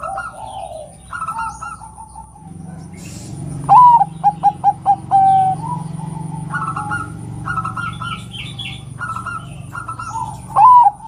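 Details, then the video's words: A female zebra dove (perkutut, Geopelia striata), kept to call males, gives soft cooing notes and a quick run of about six sharp, evenly spaced clicking coos, with other birds chirping faintly behind. "Perkutut BETINA Memanggil JANTAN ini PALING PANDAI membuat Kutut JANTAN BUNYI"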